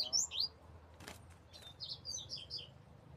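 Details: Desmantelo song of a double-collared seedeater: a loud burst of sharp, high, slurred notes, then a knock, then a fast run of repeated high chips, over a low background hum.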